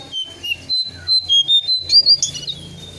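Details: Brown shrike sounds played as a bird lure: roughly eight short, bright, high notes delivered in rapid succession, ending in a harsher, noisier burst over a steady low hum.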